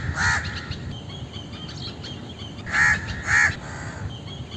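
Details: Indian crow calling with loud, hoarse caws: one early, then a pair about half a second apart, separated by quiet stretches with soft twittering from other birds.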